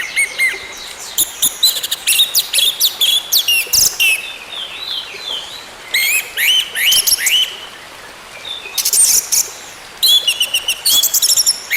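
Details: Orange-headed thrush song, played as therapy to coax a silent bird back into singing: bursts of bright, high sweeping and buzzy notes in quick clusters, with pauses of about a second between phrases over a soft hiss.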